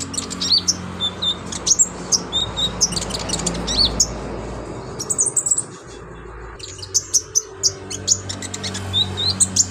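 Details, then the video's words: Energetic olive-backed sunbird, a master song for teaching other birds, pouring out high sharp chirps, thin whistles and twittering runs in uneven bursts, with a quieter stretch midway and steady background noise. "BURUNG KONIN GACOR LINCAH BONGKAR ISIAN COCOK BUAT MASTERAN"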